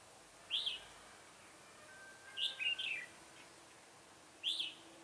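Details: Red-whiskered bulbul decoy bird singing to lure wild birds into a trap, recorded 7 January 2018; three loud, clear whistled phrases, the middle one a double note, spaced about two seconds apart.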